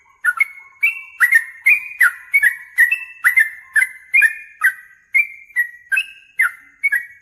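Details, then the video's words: Loud, fast song of a yellow-vented bulbul responding emotionally to a challenger: a continuous run of short, rich whistled warbles, rising and falling, nearly two per second, each opening with a crisp high tick, nothing else audible. "trucukan gacor MENCARI LAWAN TARUNG ini MENJADIKAN burung trucuk gacor NYAUT EMOSI"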